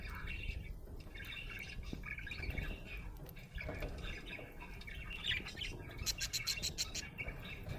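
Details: Happy budgerigar warbling and squawking in a rambling chatter, ending in a rapid burst of sharp ticking chirps, with steady low rumble underneath.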